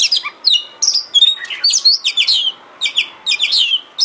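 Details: Oriental magpie-robin song from a kacer bait recording meant to provoke singing and tail-spreading. Bright whistled slurs and quick chirps come in short bursts about every half second.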